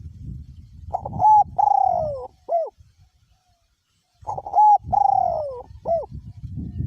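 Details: Caged spotted dove decoy bird singing in strong wind. Two cooing phrases about three seconds apart, each a short opening note, a drawn-out falling coo and a short closing note. Gusty low wind noise runs between them.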